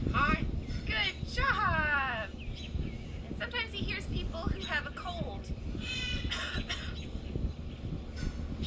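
A common raven imitates human speech in a hoarse, throaty voice, repeating short words like "hello" between a person's prompts, over a steady low rumble.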